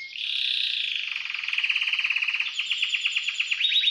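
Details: Timbrado canary in a cage, caged only since the previous night, delivering a sustained buzzy trill that breaks into rapid pulsed notes repeated several times per second, rising slightly toward the end.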